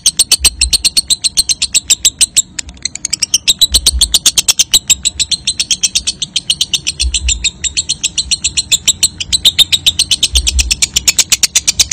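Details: Lovebird ngekek trill used to encourage young lovebirds to trill: a long, rapid, rattling run of high, harsh ticks, steady throughout, with periodic low thumps in the background.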